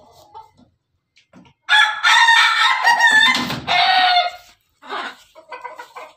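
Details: Pelung chicken crow: a long, loud, strongly harmonic call of nearly three seconds in two linked parts, with a rough middle section, followed by softer clucking notes.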